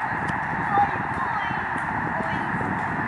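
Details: Massed honking of a migrating snow goose flock over Lake Springfield, Illinois, a constant wall of overlapping calls from many birds, with one sharper note rising briefly above the din.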